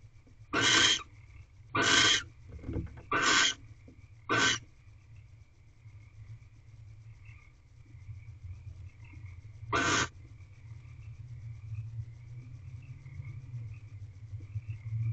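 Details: Barn owls mating in an owl box at 5:40 am, 7 March 2023: a burst of four short rasping hissing screeches about a second apart, one more after a pause, then quiet with low rumbling background and a faint whine.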